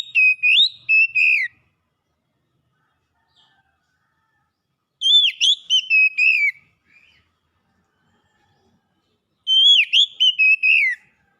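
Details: Contest-champion Oriental magpie-robin (kacer) singing: three bursts of rich whistled, warbling notes spaced about four seconds apart, each a quick run of rising and falling phrases, with silence between.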